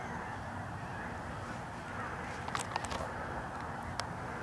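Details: Geese of multiple species circling a corn field in a large flock, their massed honking forming a steady low chorus, broken midway by a few sharp clicks and taps close by.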